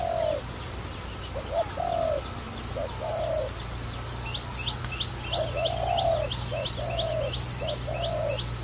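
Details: Dove calling in a trapping setting: low hollow coos, a short note followed by longer drawn-out ones, come in loose bursts, while thin high chirps repeat steadily in the background over a low steady hum.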